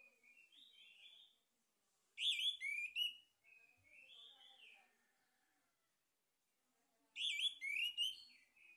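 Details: Male orange-headed thrush singing as a lure to stimulate others: soft slurred whistles alternate with two loud bursts of rich, rapidly varied notes several seconds apart, separated by quiet phrases.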